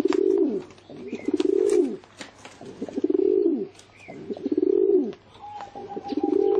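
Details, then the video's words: Pigeon calling in a series of low, throaty coos, each a rising-then-falling purr lasting about a second, repeated roughly every 1.3 seconds, with faint clicks and a brief thin tone in the background. "เสียง นกพิราบ"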